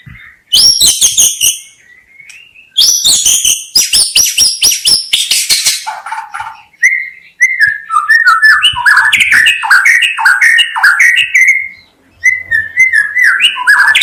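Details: White-rumped shama song meant to attract birds: bursts of dense harsh high chatter and buzzy notes, then a long lively sequence of varied fluted whistles and quick warbles, loud and continuous.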